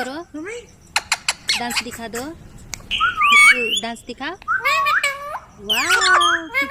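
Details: Indian ringneck parrot indoors alternating sharp clicks and short chatter with looping whistled, word-like phrases that rise and fall, louder in the second half.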